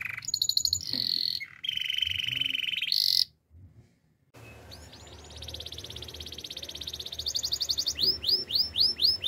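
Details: Canary singing a training song: steady buzzy trills and held whistled tones, a brief pause, then a long rapid rolling trill building into repeated looping whistled notes about four per second, over faint background hum.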